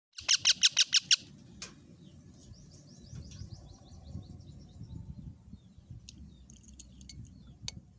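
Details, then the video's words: Parrot, which has eaten a tomato, gives a quick burst of about seven harsh, high screeching notes in the first second, followed by faint scattered chirps over low background rumble. "parrot talking"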